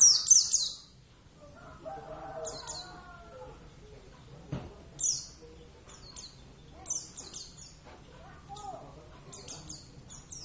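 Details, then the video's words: Oriental white-eye of the Javan subspecies Zosterops palpebrosus javanus, raised as a pet, sings actively: a loud high opening burst followed by many short, high, falling chirp clusters spread irregularly, with faint lower sounds in between. "plecit gacor"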